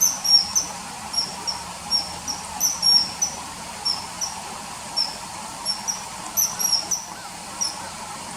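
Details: Common kingfisher calls inserted over early September 2020 riverside scenes: brief shrill whistled 'chee' notes repeated at uneven intervals, sometimes in quick pairs, with a soft constant hiss behind.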